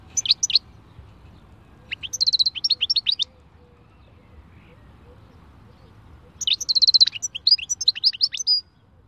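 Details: Khalwi-style song of a European goldfinch: quick runs of bright, high, liquid twittering notes in three phrases, the last long and varied, separated by quiet pauses.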